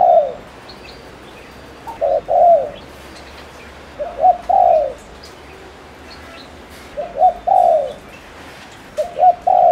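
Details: Lure spotted dove from Ninh Thuận, Vietnam, cooing fast to excite males: four low phrases, each two quick hoots and a longer downslurred note, about every two and a half seconds.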